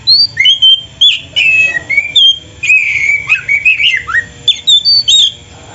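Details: Master recording of a lively Oriental magpie-robin song packed with fill phrases, meant for training cage birds: continuous varied whistles, slurred up and down, with quick chirped notes throughout and hardly a break.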